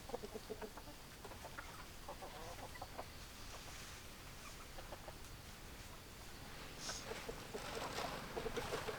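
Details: Chicken clucking from hens, soft and rapid, with short pulses clustering at the start and end and a noisy, rustling backdrop in between.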